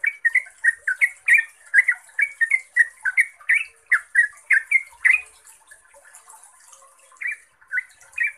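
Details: Yellow-vented bulbul in rapid 'ropel' singing, meant as a lure to set other bulbuls answering; a long unbroken run of gurgling, slurred notes, about two a second, then a short gap and a few more phrases, thin hiss throughout.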